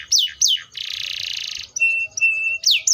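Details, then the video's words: Canary (Serinus canaria) song: two sharp downslurred whistles, a long harsh buzzy rattle, flat whistled notes, then more bright descending slurs. "THE VOICE OF THE CANARIA SERINUS"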